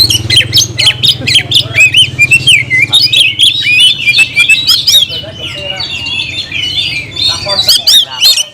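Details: Oriental magpie-robin calling out a rival for a fight, pouring out rapid loud whistles, looping trills and scratchy bursts almost without pause, over a steady low background hum.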